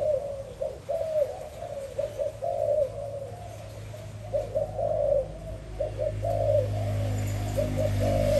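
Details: Spotted dove in 2021 giving repeated soft coo phrases, notes varying in length, with a rumbling low hum growing louder toward the end.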